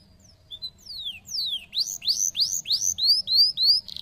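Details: Canary singing soft short chirps, then long falling whistles and a steady series of loud, arched rising notes, ending in a brief buzzy burst.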